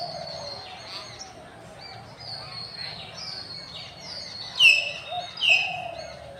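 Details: Common hill mynas calling among campus birds on an afternoon, 6 February 2024. A background of soft high chirps and twitters, then two loud, clear whistled notes about a second apart near the end.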